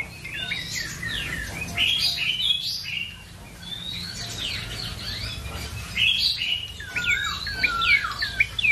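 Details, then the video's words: Ashy tailorbird song in busy, overlapping phrases of high twisting whistles and chirps, with a quieter lull midway and a steady soft background hiss. "BURUNG PRENJAK COKI GACOR/CINENEN MERAH"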